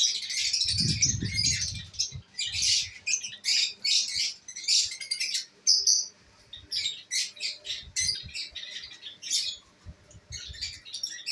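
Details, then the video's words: Pet lovebirds at home, albino red-eyed type among them, chatter in rapid shrill bursts of high squeaky chirps, with a short low rumble near the start and pauses between flurries. "My love birds enjoying today"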